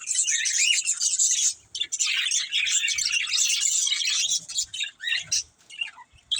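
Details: A family of pet budgerigars chirping: busy overlapping high warbles and squeaky notes in long bursts, broken by brief pauses near the middle and end, with faint low knocks.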